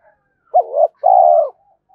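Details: Single phrase from a spotted dove calling to fight a rival wild bird in the morning: a quick bent hoot rising into a second note, followed by a long, smooth, gently falling coo.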